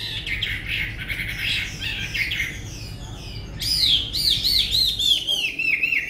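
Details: Chinese hwamei, tame and caged, sings rough, scratchy varied phrases, then switches to a loud run of rapid looping whistles descending in pitch.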